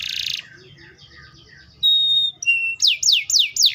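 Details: Canary singing, a varied song: a short buzzy burst, then a long steady high whistle, a lower whistled note, and a run of rapid falling sweeps repeated about four times a second.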